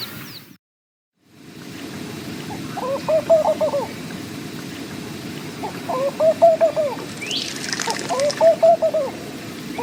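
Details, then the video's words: Three separate laughing dove phrases, each a low bubbling run of coos rising then falling, spaced about three seconds apart over a steady rustling background with a faint higher bird call. "Laughing Dove - Calls"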